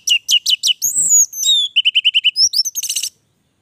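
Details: Orange-headed thrush singing vigorously: a varied, rapid run of sharp high notes, a sliding whistle, then a quick string of six even chirps and a buzzy closing trill, no other sounds.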